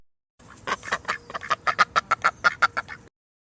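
A duck gives a fast run of about a dozen harsh, nasal quacks, roughly five a second, growing slightly louder midway. No other sounds are heard.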